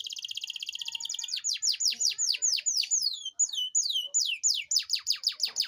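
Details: Singing canary, its long rolling song played to prompt reluctant canaries to sing: a rapid buzzy high roll opening into a series of loud descending whistled sweeps repeated about three per second.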